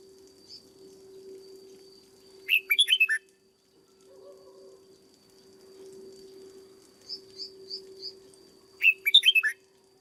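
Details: Red-whiskered bulbul in a training cage gives two rapid five-note whistled phrases some six seconds apart, with a short string of four thin high chirps between them and a low constant hum throughout.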